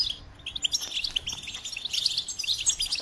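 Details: A short burst of goldfinch song: quick, high, tinkling chirps and twitters that grow louder in the second half.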